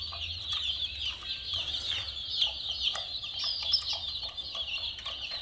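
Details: Many chicks chirping together, a steady shrill mass of overlapping high peeps with a few louder individual notes standing out.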